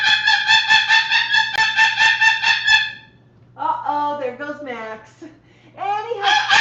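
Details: Pet Moluccan cockatoo at home, starting with a rhythmic run of bright, hoarse repeated notes for about three seconds, then after a pause a wavering, speech-like warbling mimicry and a final loud squawk.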